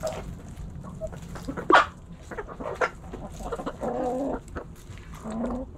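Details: Backyard flock of hens and roosters pecking and scratching: scattered soft clucks, one sharp loud note near the start, then a cluster of drawn-out, nasal tones, over constant low hum.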